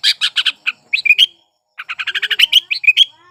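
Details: A sooty-headed bulbul in breeding condition delivers a lure song for silent bulbuls. Harsh rhythmic bursts and rising whistled notes come in two busy phrases, with a pause between them.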